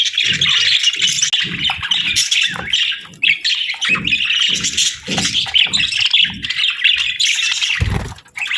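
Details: A pair of budgies in breeding season keeps up a continuous, raspy warbling chatter with quick twittering notes throughout, accompanied by regular soft low thuds.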